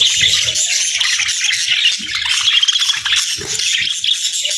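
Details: Flock of parakeets at a warm meal on a winter morning, steady rasping chatter with thin whistled notes woven through, plus faint low knocks.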